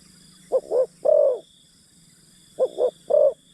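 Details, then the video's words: Decoy spotted dove calling to lure wild birds: two phrases, each two quick low coos followed by a longer, drawn-out croo, about two seconds apart, over a faint steady high whine and low hum. "Pikat Terkukur Aksi denak memujuk burung hutan"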